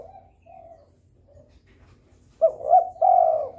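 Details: Spotted dove in breeding mood, calling to prompt rivals: faint low coos at first, then a loud phrase of two short rising notes and a long drawn-out coo.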